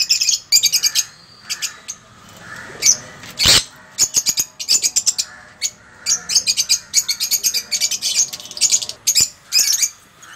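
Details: A pair of 10-month-old sun conures (Aratinga solstitialis) give shrill, harsh screeches and chirps in quick bursts, over and over.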